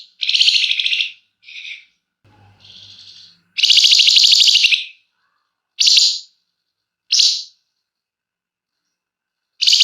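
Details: Flamboyan songbird in full, emotional song meant as a lure to prompt other birds to sing: long, buzzy, rattling bursts high in pitch, some over a second, broken by short sharp notes and pauses.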